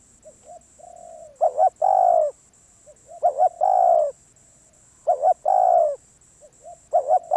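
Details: Wild spotted dove, called very wary, cooing: soft introductory notes, a quick doubled coo and a sustained hollow coo, the phrase repeated about every two seconds; a constant faint high tone in the background.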